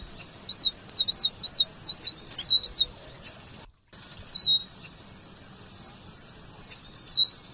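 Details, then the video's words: Male red avadavat (strawberry finch) sings thin, very high looping whistles in a quick run of about six, then slurred descending notes after short pauses, a rolling song used as a tutor recording for kacer birds. "Emprit geni STRAWBERRY gacor MASTERAN kombinasi BURUNG KACER"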